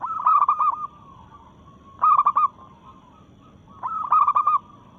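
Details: Challenging rivals in breeding mood, a local zebra dove repeats a short, rapid, throaty cooing phrase about every two seconds, three phrases in all.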